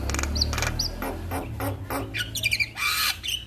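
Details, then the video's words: Male Javan myna singing: harsh, broadband squawks and rasping notes mixed with short high whistles, under a steady low hum. "Masteran jalak Kebo jantan Suaranya Bikin Burung jalak Anda Langsung Bunyi"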